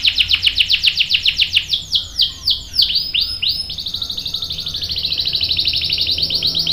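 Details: Canary singing to draw a response: rapid descending whistled sweeps slowing into looping notes, then a sustained high fine trill.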